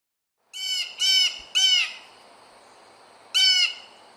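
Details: Blue Jay giving four harsh, nasal, screechy jay calls: three in quick succession, then a pause and one more.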